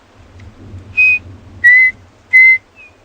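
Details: Chinspot batises in South Africa's Lowveld give three clear, pure whistles about two-thirds of a second apart, the first highest and the rest lower, on a rainy morning game drive on 8 July 2020, over rain and engine rumble.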